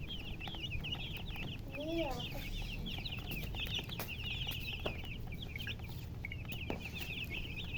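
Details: A group of chickens chirping nonstop with thin, high, trilled peeps, a brief lower sound near the two-second mark, and constant low background noise.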